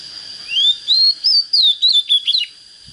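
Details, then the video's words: A young Oriental magpie-robin not yet trained, beginning to show fighting spirit, sings a phrase of about eight clear whistles, opening with rising slurs and finishing in quicker twisting notes, over a steady high background whine. "Chích chòe than mộc CHỚM LỬA || có chất GIỌNG CHUẨN"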